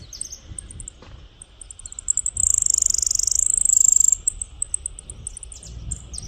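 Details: Saffron finch song in the countryside: quick high chip notes lead into a loud, fast, rattling high trill of nearly two seconds, then more scattered chips, against continuous shrill insect noise.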